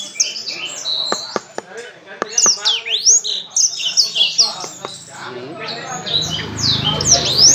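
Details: Loud Orange-headed thrush song from a contest bird that spreads its tail while singing: rapid sweeping whistles, dips and slurred notes mixed with dry clicks. A low rumble rises toward the end.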